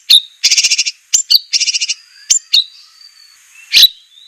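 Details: White-rumped shama in a masteran training recording for captive birds, harsh 'tembakan' style. Buzzy rattled bursts of quick pulses alternate with thin high whistles and sharp clicks, with gaps of near quiet between them.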